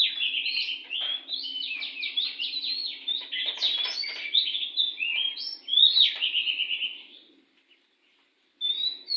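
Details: Wild oriental magpie-robin singing vigorously in front of a house: a loud, rapid stream of varied whistled and scratchy phrases, rising and falling, that runs for about seven seconds, pauses in silence, then resumes with a brief phrase.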